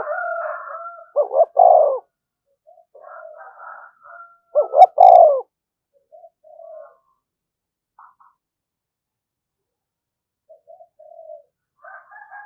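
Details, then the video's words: Spotted dove used to provoke wild doves, giving two loud phrases of quick double coos ending in a longer rolling coo. Softer, higher warbling notes and faint short coos fill the gaps. "tiếng chim cu gáy kích bổi"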